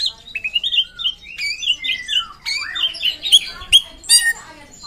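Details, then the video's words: A drongo (srigunting), a popular Indonesian songbird, sings in full form with a long continuous roll: a rapid, varied run of whistles, slurred notes and harsh chattering phrases, mostly high-pitched, with no pause between phrases. "Srigunting gacor ngeroll panjang"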